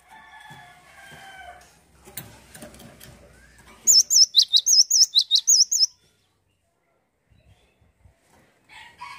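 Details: Cinereous tit singing actively (gacor): after a stretch of faint clattering and rustling, a loud, very high, brisk phrase of a wavering whistle followed by a sharp dropping note, repeated about four times in two seconds, then quiet.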